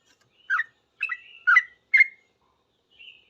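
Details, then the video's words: Sooty-headed bulbul reacting to another bulbul with hurried calling: four rich, gurgling whistled notes in quick succession, then a pause and a faint closing whistle. "Trucuk gacor paling cepat di respon trucuk lain langsung bunyi ribut ropel"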